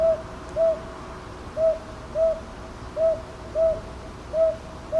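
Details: Northern boobook in Ichijoji, Sakyo Ward, Kyoto, 22 May 2023, TASCAM DR-100MKIII recording: eight low, rounded hoots delivered in loose pairs, the gaps alternating short and long, with a soft steady background hiss.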